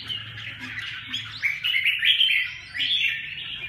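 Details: Red-whiskered bulbul singing: bright, warbled phrases of quick rising and falling whistles, rich and slurred, with short pauses between bursts and a faint low hum underneath.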